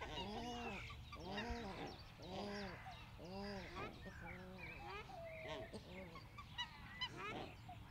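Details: Australian shelduck (Tadorna tadornoides) calling in loud, rhythmic, bowed honks, five in quick succession, then fading into a mix of higher squeaks and chatter from other birds.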